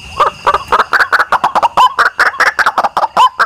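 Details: Rapid, evenly repeated harsh croaking calls of a white-breasted waterhen, some with brief clear upslurred tones, played as a lure to attract birds.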